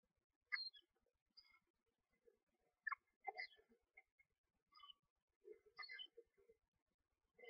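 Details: Newly hatched screech owl owlets, one to two days old, being fed in a nest box: soft, scattered high chirps and squeaks at irregular intervals, with faint rustling.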